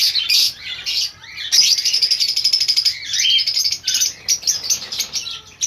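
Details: Many lovebirds in a breeding colony chatter together, with quick shrill squeaks running into a steady, rapidly pulsing high chorus that breaks into scattered sharp chirps toward the end.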